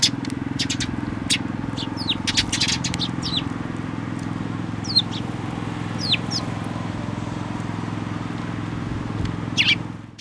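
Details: At a Tenmangu shrine, 25 May 2024, Eurasian tree sparrow fledglings fly to a plum tree to be fed, giving clusters of quick high chirps and downslurred notes, with a constant low hum behind.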